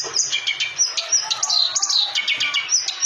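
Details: Lively clamorous reed warbler song, a fast run of high chirps and short whistled notes delivered nearly three per second, bright and unbroken throughout.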